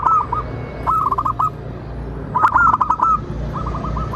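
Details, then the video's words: Singing local zebra dove, played to prompt other birds to answer: short bouncy series of quick cooing notes, three phrases, accompanied by scattered clicks and low hum. "Perkutut lokal gacor Pancingan Super ampuh Di Jamin BUNYI dan NYAUT"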